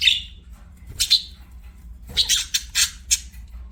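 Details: Budgerigar giving a few isolated notes: a short squeaky chirp, a sharp squeak about a second later, then a quick series of clipped, harsh chirps after a pause.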